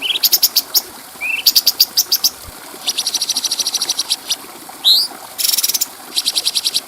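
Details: Bulbul called cucak cungko, sung for training other birds: high ticking clicks, a short rising note, a long even run of rapid clicks, an upslurred whistle, then a dense buzzy burst and more clicks.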